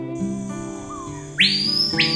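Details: Screaming piha (cricrió) territorial song, audible over half a kilometre away in Amazon forest: a loud, ringing whistle that sweeps steeply upward and holds high, then starts a second sweep, over soft music.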